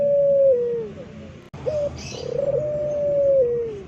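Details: Local Indonesian pelung-type turtle dove kept as a songbird, giving a loud, long cooing call: a steady low hooting tone that holds level, then slides down at the end, heard twice with a short break between.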